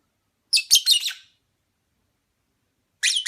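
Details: Opaline parblue lovebird producing a rapid cluster of harsh, high twittering chirps, then a quiet gap and another chattering burst starting at the end.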